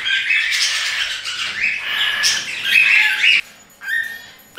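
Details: Hungry hand-fed cockatiel chick about a month old, raised by its keeper because its mother does not tend it, begging: repeated harsh, raspy screeches that break off abruptly near the end, followed by a short thin note.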